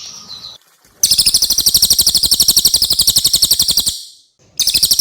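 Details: Songbird song from a tutor recording combining Javan white-eye and mugimaki flycatcher, meant to teach caged songbirds: a fast, even, high-pitched trill of sharp repeated notes, about four per second, lasting three seconds, then a brief restart after a pause.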